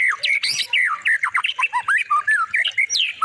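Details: White-rumped shama training song for teaching other birds: a busy stream of scratchy, zigzagging notes mixed with brief high squeaks, delivered in quick bursts with tiny pauses.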